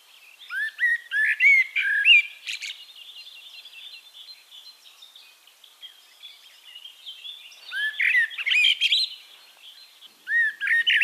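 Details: Eurasian blackbird (Turdus merula) in Castricum, the Netherlands, sings three separate phrases, each a low, mellow fluted warble ending in a high, squeaky twitter, with quiet pauses of several seconds between them.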